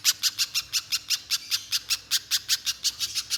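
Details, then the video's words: Little spiderhunter (pijantung pisang) singing nonstop in 'gacor konslet' style, used as a lure for other spiderhunters: an even chain of piercing, high, harsh chips, roughly six each second, throughout. "Pijantung Pisang Gacor Konslet‼️ Untuk Pancingan Pijantung Agar Bunyi Mbeset Panjang"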